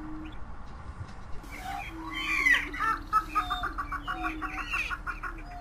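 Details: Greater prairie chickens in a group: a low, steady hooting drone runs beneath loud bursts of cackling and whooping calls that rise and fall over the second half.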